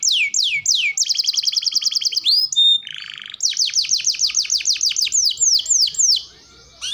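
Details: Canary training song with descending whistles, a rapid rattling trill, a brief low buzzy passage, then a steady string of downward-sliding notes and a short pause near the end.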